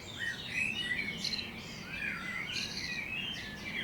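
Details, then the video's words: Morning chorus of birds on the edge of Budapest, Hungary: rapid overlapping chirps and thin high whistles from several singers, with constant low outdoor hiss underneath. "Morning Birds Chirping"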